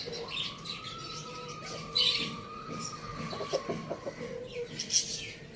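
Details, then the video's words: Rooster crowing on a village farm: one long, drawn-out crow held on a fairly steady tone for about three seconds, against busy high chirping and squawking from many small birds. "Amazing rooster crowing sounds | farm village"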